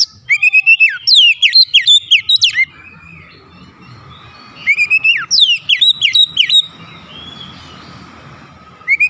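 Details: Lure recording of a white-rumped shama meant to stir rival birds into singing: two loud bursts of fast, ringing whistled phrases with steep slurred sweeps, separated by a pause with a faint steady hum.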